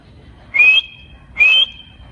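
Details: Ring-necked parakeet kept as a pet talker, giving two matching whistles, each rising briefly then holding a long steady tone, about a second apart.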